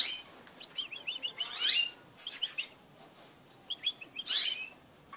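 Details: Pet crested canaries mating together: soft repeated twitters alternate with two loud, bright sweeping bursts, each followed by quieter chirping.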